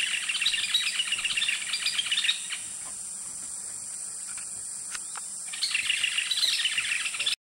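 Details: Yellow-billed Nunbirds sing at the canopy tower of Sani Lodge on the Rio Napo, Ecuador: two bursts of fast, busy chattering notes with a pause between, over a steady high insect drone and a low hum.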